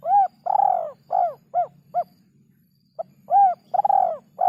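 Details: Spotted dove calls for training songbirds: rounded, arching coos in uneven series with one longer rough note, a short pause, then another burst of coos over a faint low hum.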